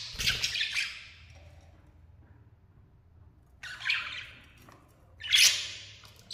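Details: A pair of lovebirds gives harsh, broad screeching squawks in three short bursts: one at the start, then two close together near the end, with quiet between them.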